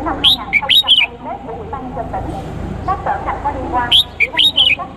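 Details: Cambodian male red-whiskered bulbul, a decoy bird, calling a female: two clear bursts of sharp whistled notes that jump up and drop, at the start and near the end, with steady murmuring background chatter in between.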